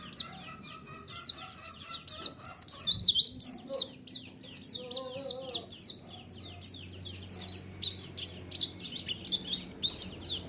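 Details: White-eye singing as a lure to draw a reply: long, dense series of high, thin, downslurred chirps delivered fast and unevenly, briefly joined by lower warbled notes midway.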